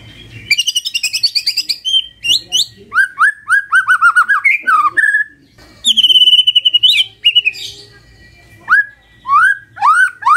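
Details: A magpie-robin sings in the morning to coax a quiet bird into answering. It opens with a quick trill, moves into series of descending whistled slurs, and later gives a long sustained whistle.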